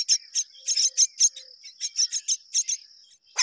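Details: Mynas, both parents rearing their young together; sharp high chirps come in irregular bursts, some doubled, over a constant thin high tone, ending with one loud harsh note.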